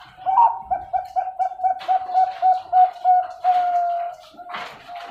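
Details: Caged zebra dove at a breeding farm in Pasuruan, East Java, Indonesia, prized for its thick, big voice: quick repeated low coos, then a long sustained purring note, with scratchy cage noises.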